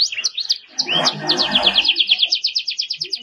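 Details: Belgian canary singing a forceful song meant for tutoring young birds: scattered high chirps and short slurred notes, then a long, fast, even trill of bright repeated notes running to the end, over a brief low muffled background rumble.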